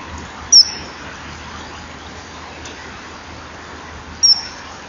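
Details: Common kingfisher, a male landing calling on a perch at a nesting-wall camera, 21 January 2012, 10:16. Two isolated, sharp, very high whistled notes about four seconds apart over quiet hiss.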